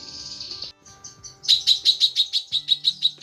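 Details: Female lesser green leafbird calling the male: a buzzy high note, softer bursts, then a fast run of sharp repeated chips about five a second. Faint low steady tones underneath.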